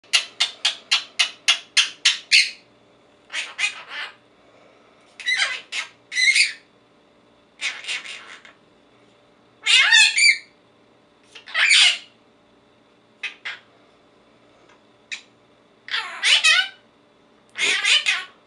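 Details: A 4-month-old Quaker parrot (monk parakeet), said by its owner to be saying its own name, chatters in harsh, raspy bursts, mimicking speech with a rapid stuttering run of notes.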